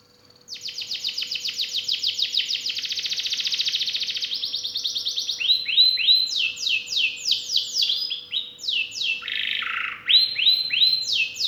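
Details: Singing canary with varied phrasing: begins with a long, fast rolling trill of high notes, shifts to rising whistled upsweeps and downslurs, then a buzzy descending phrase; a faint steady hum beneath.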